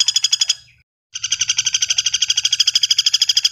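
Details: Common flameback delivering a brief burst of quick high notes, then after a short silence a steadier, longer rattle at roughly eight notes per second.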